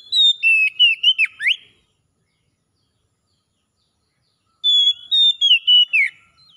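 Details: Singing Oriental magpie-robin, meant as therapy to bring back song in a bird that has gone quiet: two bursts of bright whistled notes with sharp downward and upward slurs, separated by about three seconds of silence.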